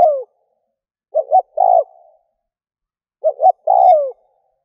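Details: Decoy spotted dove luring wild doves, giving soft low coos: a falling tail of one phrase, then two full phrases of quick double notes and a drawn-out descending coo, with no other sounds.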